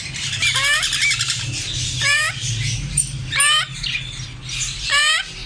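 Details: African grey parrots giving sharp rising whistles and harsh squawks, about four loud calls in quick succession, with a steady low hum beneath.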